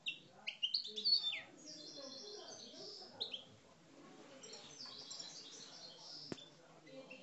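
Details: Algerian parva goldfinch kept in a cage, singing in aggressive style: quick, liquid, high-pitched twitters and short buzzy slurs, loudest at the start and then continuing in a softer chattering stream, with one sharp click.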